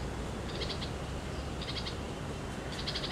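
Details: Red-vented bulbul chick sitting at a nest in India gives three short bursts of rapid, scratchy high notes, each about a second apart, over steady broadband background noise.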